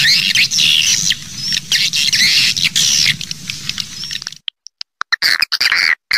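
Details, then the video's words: Sound used to lure swiftlets: high chattering twitters over a low rumbling hum, then the hum drops away, leaving sharp clicks and short chirp bursts. "Suara Panggil Burung Walet"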